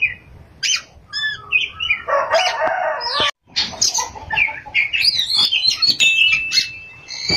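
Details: Oriental magpie-robin singing actively in ngerol and nembak style: dense, loud, overlapping whistled phrases and harsh buzzy notes, with a short break of silence midway and rapid varied chatter afterward.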